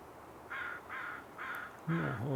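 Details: American crow at an estuary during the breeding season, giving four harsh, evenly spaced caws about half a second apart, with a man speaking over the last one.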